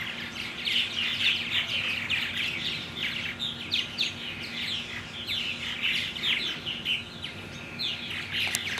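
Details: Continuous purple martin chatter from 17 June 2009. Several birds give bursts of quick chirps and gurgles about every half second, rising and falling in loudness over a constant low hum.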